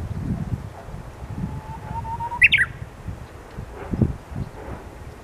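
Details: Japanese bush warbler in Hirakata, Osaka, singing lively near 12:40 on 29 March; a soft whistle rises gradually, then breaks into a short, loud, high-pitched burst of notes, with low rumbling noise beneath and a faint thud afterward.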